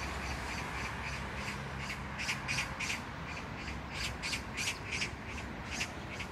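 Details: Magpie at Jangdumot neighbourhood park, Gyeyang-gu, Incheon, South Korea, 19 June 2022: harsh rasping chatter of quick repeated notes, strongest in the second half, over a steady low rumble of background noise.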